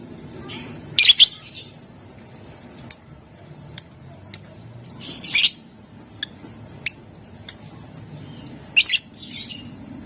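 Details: A lovebird sings vigorously in the ngetik and ngekek styles to draw rivals into answering; loud harsh squawk bursts mix with a run of short, ticking high clicks scattered through the passage.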